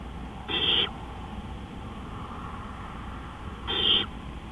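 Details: At 3:15 AM on 20 April 2013 an owl gives two hoarse, hissing screeches roughly three seconds apart, each about a third of a second long, with a steady background hum.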